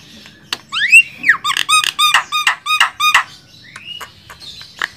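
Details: Javan myna (jalak kebo) song meant as a master for training songbirds: a rising whistle, then a fast rhythmic string of nasal, buzzy squawks, ending with a soft upslurred whistle.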